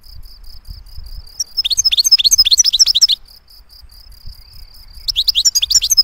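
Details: Clean singing from a European goldfinch: two bursts of quick, bright twittering notes, each about a second and a half long, set against a thin steady high whine between phrases.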